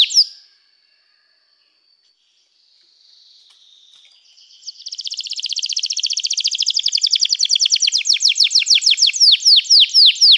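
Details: Canary beginning with a faint thin whistle, then building into a long loud trill of rapid repeated sweeps that slows into distinct down-slurred notes.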